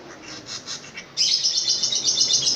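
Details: Long-tailed shrike, a caged bird with a loud voice, starting with soft rapid chips, then breaking into a sustained, fast, high chattering trill of scratchy notes.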